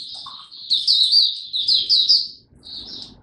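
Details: Oriental white-eye in song display, dated 26 November 2022: a fast, high warbling run of sweet, tumbling notes in bursts, a brief lower chirp near the start, with faint low background rumble.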